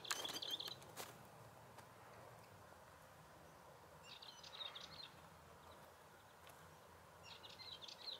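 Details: Balearic warbler (Sylvia balearica), endemic to the Balearic Islands, found in Mediterranean scrub, heath, rosemary scrub and open pine woods, gives short, dry, scratchy, high chattering bursts a few seconds apart over rustling footsteps and steady outdoor noise.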